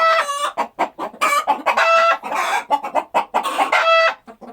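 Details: Chickens clucking and squawking in quick, irregular bursts: short clucks between louder, drawn-out harmonic squawks, with several birds overlapping.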